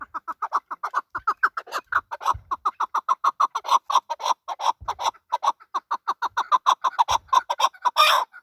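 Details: Male chukar partridge delivering a loud, rapid, rhythmic chuck-chuck series, the clucks evenly spaced and repeated about twice a second, ending in a rougher burst.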